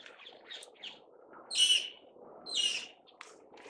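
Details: Alexandrine parakeet outdoors under a blue sky in Hong Kong gives two loud harsh screeching calls about a second apart, over softer background chirps and distant bird chatter.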